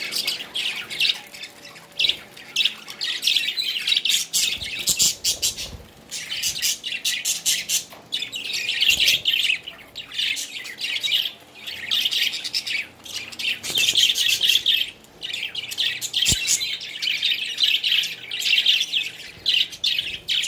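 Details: Pet budgerigars at bath time chatter in a steady stream of scratchy, high chirps and squawks.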